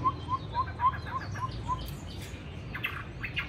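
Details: Captive Chinese hwamei in Hanoi, a trained fighting bird, on the first cold, windy day: a quick series of short, clear whistled notes repeated evenly at one pitch, then fainter higher calls over gusty wind.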